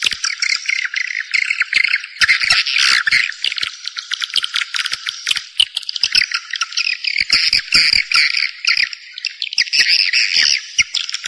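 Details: Swiftlets calling, a sound played to draw birds into a swiftlet house: a continuous chattering mass of sharp, high twittering chirps, rapid and uneven, with brief dips in loudness throughout.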